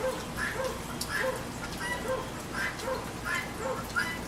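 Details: Harsh, breathy squawks from a guinea hen near a backyard feeder during rain, coming in quick uneven pulses, some with a lower nasal undertone, while rain patters steadily.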